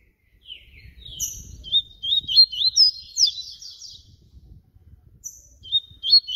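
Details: Flute-type song of papa-capim baiano (yellow-bellied seedeater): a long, lively phrase of high whistled notes and fast up-and-down slurs, then a shorter repeat near the end, faint low noise beneath.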